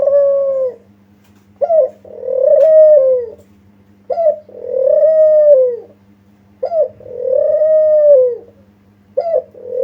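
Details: Spotted dove (kuter) coo, a lure recording of a bird calling persistently, meant to make other doves answer. A short clipped note precedes a long, drawn-out, arching coo. The phrase repeats about every two and a half seconds over a steady low hum.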